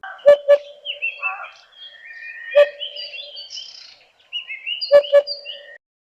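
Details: Southern African recording of an African hoopoe giving soft, low, hollow hoots in quick pairs, "hoop-hoop", a few seconds apart, over busy twittering and chattering from other birds.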